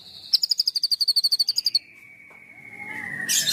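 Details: Energetic white-rumped shama song in 'tembakan' style: a rapid rattle of about fifteen sharp notes, then a long level whistle over faint background hiss and a harsh burst at the end.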